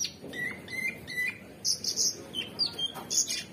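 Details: Cucak cungkok, the orange-bellied leafbird, singing 'gacor' style: a quick series of slurred rising whistles repeated about four times, then bright high chips and short squeaky notes in an irregular chatter.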